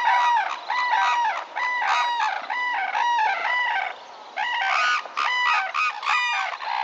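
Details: Red-crowned cranes (Grus japonicus) at Tsurui, Hokkaido, give loud, ringing, trumpeted calls in quick bursts, several birds overlapping in a harsh bugling chorus with brief pauses between bouts.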